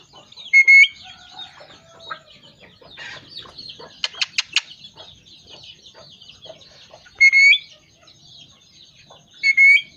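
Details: A talking parrot repeats its loud, level two-part whistle three times, at the start, past the middle and at the end. Between whistles come a burst of sharp clicks and constant chirping of other birds.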